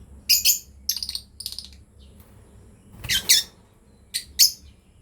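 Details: Lovebirds from a breeding pair chirping in short clusters of two or three piercing, buzzy notes, quiet gaps between the groups, with a low background hum.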